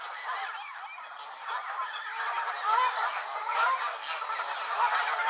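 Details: An agitated gaggle of Canada geese at Elvaston Castle, dated 3-10-15, keeps up a steady roar of overlapping honks and harsh calls that grows slightly louder toward the end.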